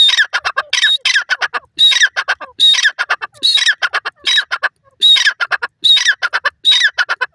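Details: Grey francolin giving loud, rhythmic call phrases: a thin whistled note, then a falling squawk and several short harsh notes, repeated about once a second.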